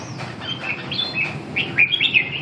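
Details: Red-whiskered bulbul giving a short run of bright, slurred whistled notes that rise and fall, growing louder toward the end. Constant low rumble and hiss, with faint clicking, underneath.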